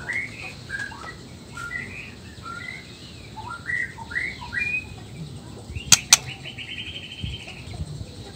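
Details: Male white-rumped shama, black-tailed Nias form, singing to provoke other males. Scattered short whistles and chips, then two sharp clicks followed by a quick trilled run.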